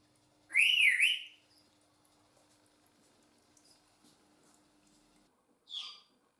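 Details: African grey parrot, one of two pets kept indoors in a home: a loud, wavering whistle that rises and falls for under a second, then near silence, then a short, rough squawk about five seconds later.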